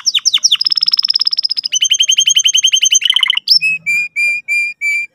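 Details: Canary song used as a lure to teach a young canary to sing: fast trills of repeated high notes, a steady whistled roll, a quick descending run, then evenly spaced clear whistled notes.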